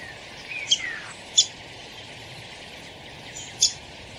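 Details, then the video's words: Downy woodpecker calling with three abrupt, high-pitched chips at uneven intervals, a steady faint tonal hum running underneath. "SOUND OF A DOWNY WOODPECKER 🔊 What does a downy woodpecker sound"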